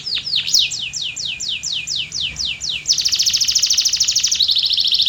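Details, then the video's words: Canary song with a row of evenly spaced descending whistled notes followed by a fast, dense buzzy trill that drops slightly in pitch near the end. "REAL Canary Singing That Birds Love"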